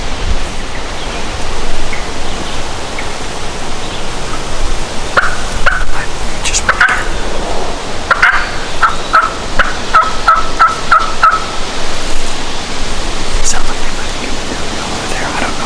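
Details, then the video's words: Distant wild turkey gobbling from its roost tree on Nebraska bluff country on a hot, windy spring hunting day: a rapid rattling burst, nearly buried under steady roaring wind. "BIRDS GOBBLING IN THE WIND!"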